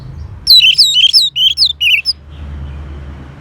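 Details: Orange-headed thrush song: a rapid run of loud, high whistled notes, each sliding down then up, delivered in a burst of about one and a half seconds, followed by quiet low hum.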